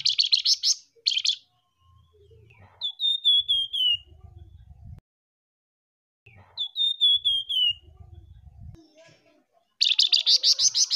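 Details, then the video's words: Flamboyan birds, a male and a female, in a lure recording give rapid high buzzy trills with a descending run of clear whistled notes in between, heard twice, over faint low thumps. "suara pikat burung flamboyan gacor"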